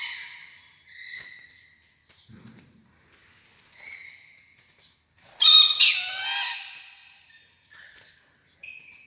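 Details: Rainbow lorikeet making soft scattered chirps and short buzzy notes, then one loud burst of rapid, grating chatter before quieter chirps resume.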